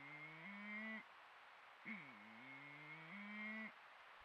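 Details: Malleefowl at Patchewollock Conservation Reserve, Victoria, Australia, female and male calls: two low, moaning, droning calls stepping up in pitch, one about a second long, then a longer one dipping before rising, over faint hiss.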